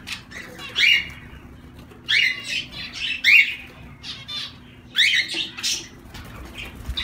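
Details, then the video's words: Zebra finch calling with harsh, nasal, honking notes in clusters roughly every one to two seconds, each burst buzzy and bright, against a quiet low background hum. "Zebra Finches"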